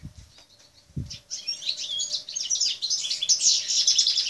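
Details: European goldfinch of subspecies balcanica in an aviary, recorded 13 June 2014: after two soft thumps, a lively high twittering song starts and builds into rapid tinkling, buzzy trills lasting about three seconds.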